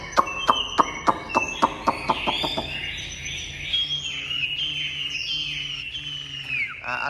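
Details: Caged Chinese hwamei, a tame bird said to sing well, giving a series of sharp rhythmic clicks and chips, then sliding into loud varied whistled phrases with long descending slurs; faint music behind.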